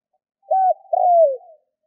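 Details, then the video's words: Spotted dove call meant to prompt other doves into calling: one phrase of a brief level coo followed by a longer drawn-out coo sliding downward, no other sounds. "Tiếng cu gáy kích bổi nhanh gáy hiệu quả"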